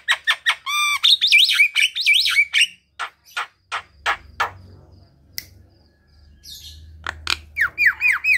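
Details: Energetic Javan myna song meant to prompt other mynas to join in: a varied run of harsh rasping notes, wavering whistles and upslurred squeals, then a quiet gap before looping, whistled phrases return over a faint low hum.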